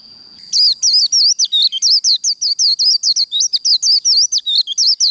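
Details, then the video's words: Fighting song of a Japanese white-eye: after half a second of a thin steady high tone, a rapid stream of high, looping whistled notes begins and runs on evenly, about five notes each second. "Vành khuyên líu đấu"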